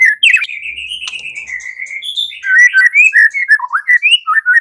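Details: White-rumped shama singing in a fighting mood: long sustained whistled notes gliding up and down, then quick rhythmic slurred notes, about 150 a minute.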